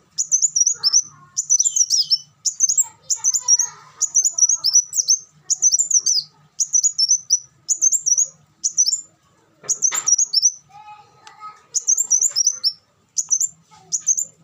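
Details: Olive-backed sunbird singing: rapid bursts of high, thin, twittering notes, each phrase about half a second long and repeated every second or so, with a few quieter background chirps and a brief click near the tenth second.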